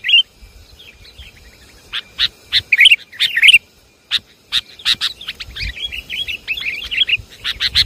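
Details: Javanese sooty-headed bulbul lure recording: scattered chirps and sharp clicks open, then a tight cluster of loud warbled notes, a short lull, and renewed rapid chirping with soft twitters between.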